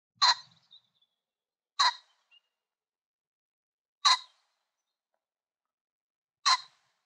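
Pheasant giving four short, harsh, rasping bursts at uneven gaps of roughly two seconds, with near silence between them.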